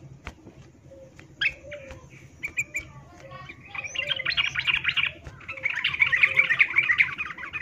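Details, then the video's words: A female yellow-vented bulbul calling to males, used as a lure for birds in breeding and fighting condition, gives scattered bright chirps building into a fast, high chattering run, with a faint low hum underneath. "Trucuk Betina memanggil jantan MIYIK Birahi Tarung"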